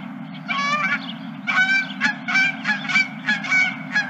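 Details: Geese at a ranch on the last day of March give loud, harsh honks in quick bursts, several calls overlapping in rhythmic clusters roughly every half second, with a constant low hum beneath.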